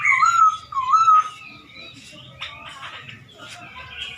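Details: Chinese hwamei singing to provoke rival birds: two clear looping whistled phrases at the start, followed by quieter scratchy chatter and faint notes.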